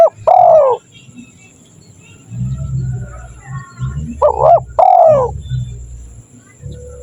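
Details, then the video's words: Spotted dove calling, a recording meant to draw in wild doves: one drawn-out coo, a pause filled with low rumbling noise, then a quick double note and a longer falling coo. "Suara Burung Tekukur"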